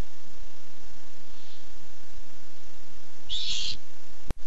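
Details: Barn owl looking for food, August 2015. A faint soft hiss early on, then one loud, harsh, breathy screech lasting under half a second. A sharp click follows near the end.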